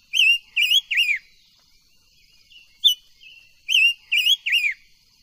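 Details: Silver-eared mesia voice-training song, two matching phrases of three loud, looping whistled notes, the last of each falling, with a single sharp note and soft whistles in the gap between.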